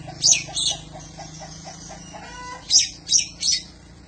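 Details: Oriental magpie-robin song for training other songbirds: two loud scratchy notes, a run of soft evenly spaced low ticks, then three more harsh buzzy bursts in quick succession.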